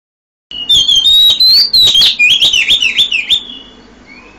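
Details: Oriental magpie-robin singing at 5 a.m.: a loud run of clear whistled notes, rising then wavering and dipping in rapid phrases with sharp clicks, fading out after about three seconds.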